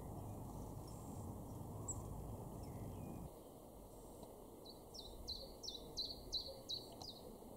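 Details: In a Weener garden in East Frisia, far northwest Germany, May 2022, a Common Chiffchaff delivers around seven high, sliding-down notes at an even pace late in the clip, after several seconds of low rumbling background noise.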